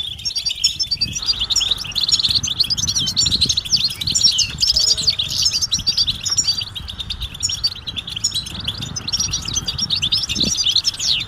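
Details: Mating calls of European goldfinch, aimed at breaking a male's silence: steady, busy high twitter of sharp, metallic notes in quick runs, with a soft low rumble beneath throughout.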